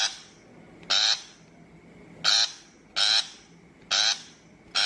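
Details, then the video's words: Shrike calls played as a trapping lure: five harsh, rasping broadband notes, each about a quarter second long, spaced irregularly about a second apart, over a faint steady background hum. "Tiếng chim bách thanh chuẩn mp3 cho loa bẫy"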